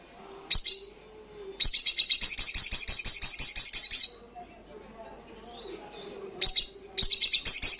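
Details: Sogok ontong, the olive-backed sunbird, in strong 'ngalas' song: a sharp single note, then a rapid high trill of about two and a half seconds, soft chatter in a pause, and renewed bursts at the end.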